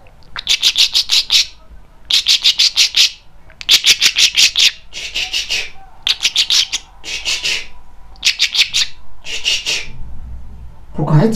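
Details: A male pet talking budgerigar scolds in harsh, rapid squawking bursts, each about a second long, repeated every second or two; his owner's voice comes in briefly at the end asking why he scolds.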